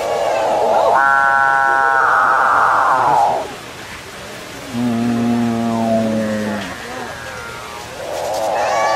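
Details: Capuchinbirds sing two long, harmonic, mooing drones. A lower, rougher groaning note sits between them, and a third drone begins at the end.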